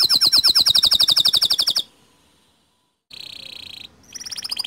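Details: Canary, a local white bird, singing a fast, even trill of high notes for almost two seconds, falling silent, then giving a steady buzzy note and a renewed rapid trill.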